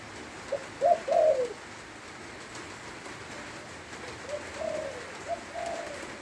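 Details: Spotted dove singing during rainfall in Lopburi, Thailand: a loud burst of husky coos early on, then softer, fainter coos trailing off later, with constant hissing rain noise.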